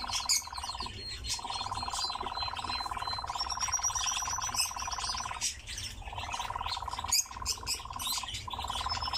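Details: Captive nightjar singing: a long, even, low mechanical churr of rapid pulses, broken by short pauses near one, five and seven seconds. Thin high whistles and sharp chirps from other birds run over it.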